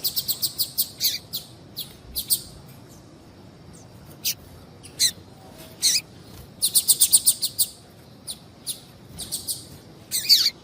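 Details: Calling female Double-collared Seedeater ('piadeira') used to stir males to sing: a rapid series of high, sharp chirps opens, followed by spaced single notes, then another fast burst of six to eight chirps near the end.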